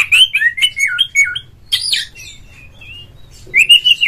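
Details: Oriental magpie-robin lure song for a caged bird: tumbling whistled phrases with sliding notes, a harsh rasping burst, soft trailing whistles, then a rich rising warble at the end.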